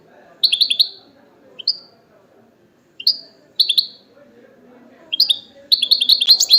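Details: Wild goldfinch heard in 'betbeta' song: scattered short clusters of high chirps and single upslurred notes separated by pauses, building into a denser twittering run at the end.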